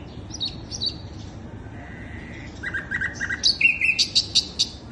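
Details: Sikatan londo flycatcher lure recording: soft high notes, a drawn-out whistle, a short trill, then a loud rhythmic series of bright sharp chips rising toward the end.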